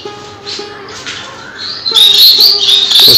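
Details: Caged Bengalese finches, a cage holding only this species, chirping. Soft, high twittering grows into loud, bright, rapid chirps during the second half, while background music plays throughout.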